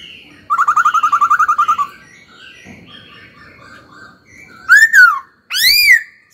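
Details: Young caged laughingthrush in training, singing: opens with a fast rattling trill of about a dozen rapid whistled notes, then quiet warbled fragments, ending with two loud, ringing arched whistles.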